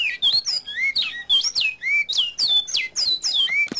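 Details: Double-collared Seedeater (coleiro) singing the classic "bicudo" song, used as a training song for young birds to learn. It gives a fast, continuous string of high, bright whistles, with rising and falling slurs and short twittering notes.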